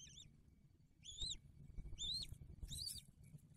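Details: Bald eagle at its nest with a newly hatched eaglet, recorded by nest camera in December 2022; four short, high, downslurred chirps with bright overtones, spaced roughly a second apart, over a low steady rumble.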